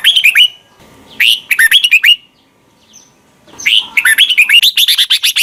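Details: A red-whiskered bulbul repeats its doubled (เบิ้ล) song for young birds to copy, recorded in Thailand: quick chirpy phrases at the start and near one second, then a longer rippling run of whistled notes.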